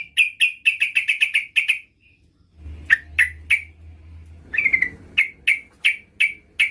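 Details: Lively female Yellow-vented Bulbul calling to a male: fast series of sharp repeated chips, a brief pause with low rumble, then more spaced chips and a short slurred phrase.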